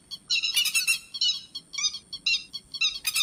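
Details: Harsh chattering calls of grey-headed lapwing, used as a lure for night net trapping, open with a loud rattling burst followed by evenly spaced short buzzy notes and a final burst, over a thin high whine.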